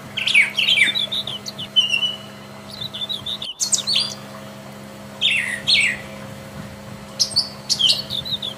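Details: Wild Brown Thrasher singing a run of varied, separate phrases: rapid buzzy sweeps and chirps jumping between high and very high pitch, with short gaps between bursts, over a steady low hum.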